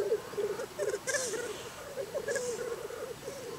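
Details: Low warbling bubbling of black grouse in Scotland on a bitterly cold morning, in wavering phrases with small gaps between them. Two sharp hissing bursts stand out above the murmur.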